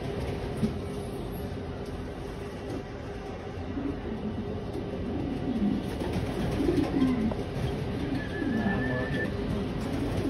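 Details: Homing pigeons, a newly raised batch of young for the coming season, give soft, low, rolling coos in short bursts through the second half, half-buried in a steady hiss of background noise.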